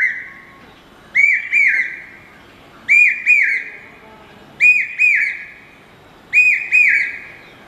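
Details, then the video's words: A common hawk-cuckoo (papeeha, brainfever bird) repeats a loud, shrill whistled phrase of two or three slurred notes roughly every two seconds, over a faint low hum. "पपीहा की अद्भुत आवाज"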